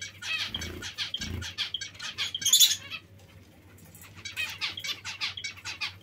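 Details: Clear zebra finch calling: rapid volleys of high, nasal, toy-trumpet beeps, a brief pause near the middle, then another dense burst, with two soft thumps early on.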